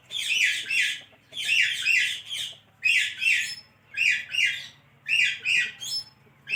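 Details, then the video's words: Pet parrot talking, repeating harsh two-part phrases of high, raspy syllables about once every one to one and a half seconds, with short silences between bursts and a low steady hum underneath. "Talking Parrot"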